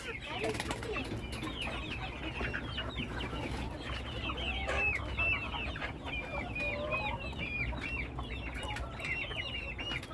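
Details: Many chickens of a flock chattering at once, dense overlapping high chirps and clucks with a steady background hiss.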